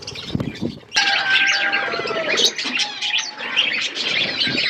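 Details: Budgerigars chattering in a flock over food, with lively overlapping warbles and chirps alongside a steady, drawn-out tonal note.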